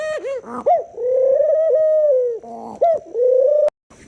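A dove gives low, hollow coos: a few short swooping notes, then a long steady moaning coo, then another swoop and coo before the sound cuts off.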